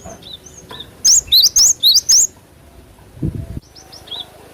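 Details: Cinereous tit singing actively, natural-sounding recording used to get a quick response from cage birds: five loud, clipped whistled notes alternating high and lower, each rising, in a fast run, with faint softer chirps before and after.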